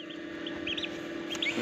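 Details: Turkey poults hatching in an incubator on an Assam farm give scattered short, high cheeps in small pairs, separated by brief pauses, against a continuous low humming of the machine.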